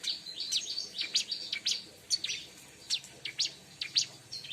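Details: Bar-winged prinia song used to lure birds: rapid series of high, sharp chirps and brief trills, repeated in clustered bursts about every half second, clear over a quiet background.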